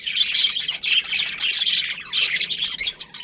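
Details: Budgies in a colony giving harsh, buzzy squawks and quick chirps in loud clustered bursts separated by brief dips.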